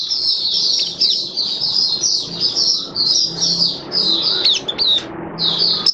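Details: Caged Oriental white-eye (Mata Puteh Kitaro) giving an open-singing display, 27 October 2022: dense, very high, continuous twittering in bursts, a few sharp falling squeaks near the end, over a low steady hum.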